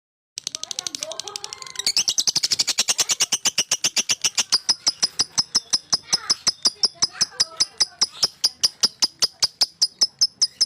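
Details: Male lovebird singing to provoke rivals: a long, rapid series of high buzzy chattering notes, about two or three a second, steady and insistent, with faint talking early on.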